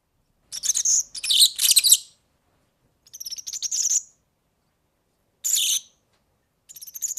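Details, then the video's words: Organeli or European serin, recorded as song for tutoring young birds: dense high scratchy trill bursts, fast and buzzy, in roughly four phrases with pauses of about a second. "ΦΩΝΕΣ ΑΠΟ ΟΡΓΑΝΕΛΙ EYROPEAN SERIN"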